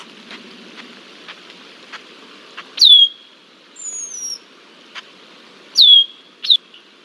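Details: Red-winged blackbird relentlessly harassing a bald eagle at Decorah, Iowa, summer 2023: a few loud downward-sliding whistles and one wavering higher note, over light rustling and soft ticks.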